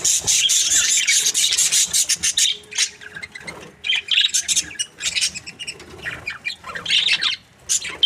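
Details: Budgies in a happy mood chirping: bursts of fast, buzzy twittering separated by short gaps, several birds calling over one another in lively, irregular spells.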